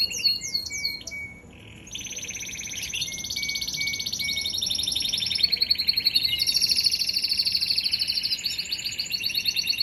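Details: Singing canary delivering long rolling trills, a few clear whistled notes after a brief pause, then dense buzzy tours and fast repeated chirps sustained at high pitch throughout.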